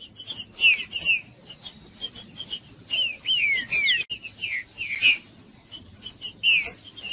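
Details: Green-winged saltator in the wild, played to stimulate a caged bird to sing: short clear whistled phrases with downward-slurred notes near the upper range, several phrases over a few seconds, with a faint steady high insect-like tone behind.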